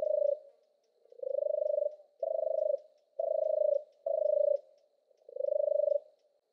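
A European turtle dove gives its soft, low purring song: six rolling 'turrr' phrases, each about half a second long, repeated roughly once a second.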